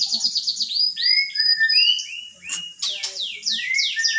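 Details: Magpie-robin reported to imitate the words "Pak Jokowi", delivering quick falling whistles, sweeping slurs and dense bursts of sharp chattering notes in fast succession, loud and near with little other sound.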